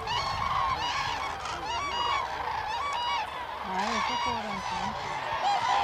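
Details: Common cranes gathered for the crane dance at Hornborgasjön, Västergötland, Sweden, in April 2009. Loud, rolling trumpeting calls with rich overtones repeat in bursts. Lower, shorter calls rise and fall beneath them. A large flock calls continuously in the background.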